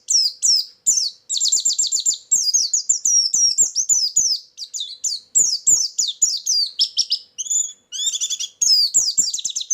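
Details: Loud, busy white-eye lure song with filler: dense cascades of very high, sharp, swooping notes and rapid trills, almost without pause.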